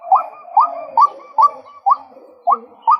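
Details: Male white-breasted waterhen giving a steady run of seven sharp, upward-flicking croaks, about two per second, over a faint continuous hum of softer calling.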